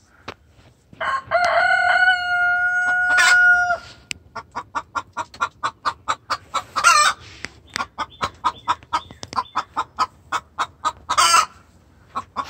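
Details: Hen calling the rooster in distress, very vocal: a sustained nasal, tonal wail lasting nearly three seconds, then fast, steady clucking with two brief harsh squawks mixed in.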